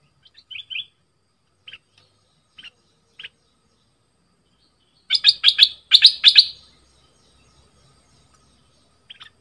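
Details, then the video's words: Blue flycatcher song used to train young birds to sing along: scattered thin, high chips, then a burst of rapid, bright twittering phrases rising and falling for about two seconds, otherwise quiet background. "เสียงต่อนกดอกแตงใต้Ep6. ไว้สำหรับต่อ หัดลูกนกเปิดให้ร้องตาม"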